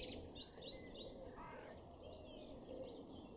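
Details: Male common blackbird in a garden in Weener, East Frisia, northwestern Germany, May: the end of a song phrase, a rapid series of high, thin squeaky twitters lasting about a second, then quiet garden background.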